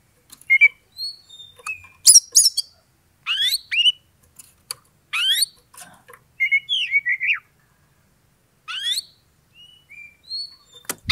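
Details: Oriental magpie-robin singing to rouse a rival's aggression: sparse whistled notes, rising sweeping slurs, a chattering series of notes and buzzy bursts, spaced by short silences.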